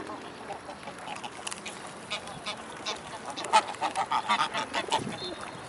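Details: Mute swans gathered in a swarm at the Blaues Wunder, afternoon of 25 May 2016: after a quieter start, a run of loud nasal honks comes in uneven bursts, over constant crowd and water noise.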